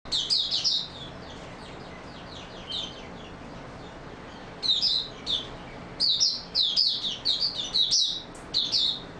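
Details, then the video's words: Oriental white-eye singing in stable form, recorded 28 February 2022: bursts of high, thin twittering phrases, with a quiet gap mid-clip, then rapid clusters of sharp chirping notes resuming near the end. "Mata Puteh Raja Video 1 buka sing stable form"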